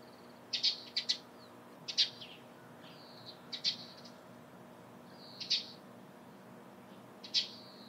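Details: Eurasian tree sparrow chirping in the morning: short, bright, high notes in loose clusters of two or three, spaced a second or two apart, over a faint low hum.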